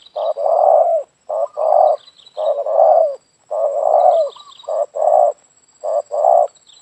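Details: Spotted dove (tekukur) calling, used to lure wild doves: low, hoarse coos in short groups, each phrase ending in a longer drawn-out note, repeated about once a second, with a faint steady high tone.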